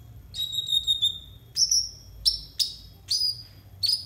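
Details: Konin, the brown-throated sunbird, in a tutor recording for untrained birds: a high, slightly wavering whistled note, then a series of sharp, down-slurred chirps about half a second apart.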